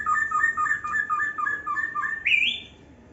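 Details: Young white-rumped shama in an aviary in Indonesia, singing a run of paired whistled notes repeated about four times a second, ending in a brighter rising whistle, with faint background noise.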